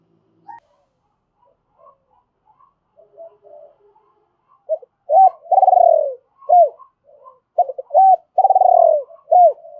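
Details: Decoy spotted dove giving double-voiced calls to provoke and lure wild doves: faint soft chirps for several seconds, then loud coos, short hooked notes around a long rolling, pulsed coo that slides downward, repeated twice.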